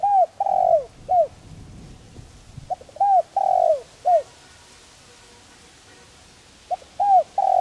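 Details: Spotted dove giving a gentle calling coo, used to stimulate decoy doves in training: soft, low, hooting coos in short phrases of three or four notes, the longer middle note drawn out, with a quiet pause between phrases.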